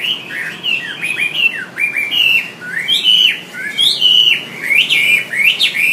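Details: Wambi song as a training master for cage songbirds: a continuous, varied stream of whistled slurs, some rising sharply and some falling, delivered in uneven bursts of about one per second.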